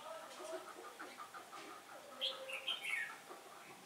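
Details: Caged decoy red-whiskered bulbul singing in competition to lure wild birds into a trap, on a windy day, 15 October 2017: a lively warbled phrase of whistled notes, with softer chirps and murmuring background sounds throughout.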